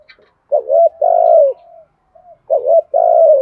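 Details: Spotted dove kept as a decoy, calling in the 'gọi 1 hậu' manner to draw in wild birds: two soft, low coo phrases, each a quick double note followed by a long sustained falling coo, separated by a quiet gap.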